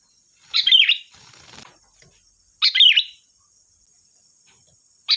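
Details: Sooty-headed bulbul (kutilang) singing a provoking lure song: two liquid, tumbling phrases about two seconds apart, a burst of rustling between them, and the start of a third phrase at the end.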